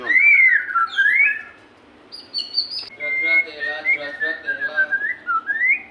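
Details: White-rumped shama song used to stimulate shy captive shamas: a looping whistled phrase, a brief high thin note, then a softer series of rich, evenly spaced notes rising toward a final whistle.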